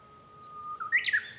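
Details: Japanese bush warbler song from a home room, recorded 5 May 2013: a held, even whistle that slides upward into a loud, quick two-part flourish.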